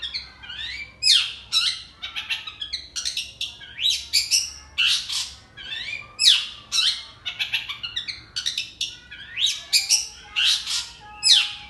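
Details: Long-tailed shrike from Indonesia singing cricket-mimicking song: loud, harsh, varied notes with sharp downward sweeps and scratchy chatters, delivered in quick clusters with brief pauses throughout.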